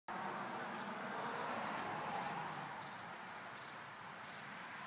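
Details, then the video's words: Two baby sparrows in the nest, waiting for their mother to return with food. Their thin, high begging chirps come in short bursts, about eight in five seconds, over a steady soft hiss. "Baby Sparrows in Nest"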